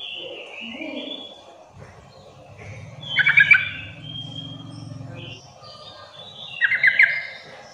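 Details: Sooty-headed bulbul lure call for provoking call-and-response among bulbuls: two quick bubbling phrases about three seconds apart, with a low murmur of speech or engine noise in between and distant bird whistles.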